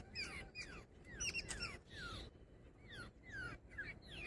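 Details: Jungle babbler (Argya striata), described as female, gives harsh, squeaky descending notes in quick overlapping bursts, with several birds chattering together against a low background rumble.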